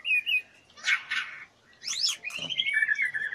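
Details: White-rumped shama female in breeding condition, wing-fluttering and asking to mate, gives a clear wavering whistle, harsh buzzy bursts and sweeping slurred notes over a low background hiss.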